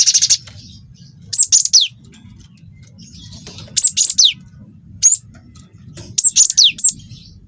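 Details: Young cinereous tit of the wingko type singing to prompt other birds: a short buzzy burst, then spaced phrases of two to four thin high whistles, several dropping steeply in pitch at the end.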